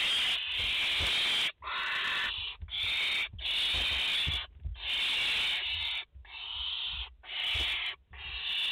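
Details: Mother barn owl and four chicks at their nest in France, 30 August 2021; a dense series of loud, harsh snoring hisses, each lasting up to a second, with brief gaps and low thumps of movement.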